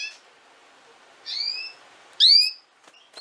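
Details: Female canary giving two rising harmonic chirps, the second louder and sharper, then faint clicks and a brief high note.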